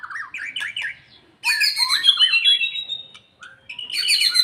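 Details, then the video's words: After moulting, a white-rumped shama raises its fighting mood with looping whistled phrases, then a loud, sustained, sharp high passage, a short pause and another shrill burst. "Meningkatkan secara bertahap emosi dan fighter Murai Batu stlh mabung"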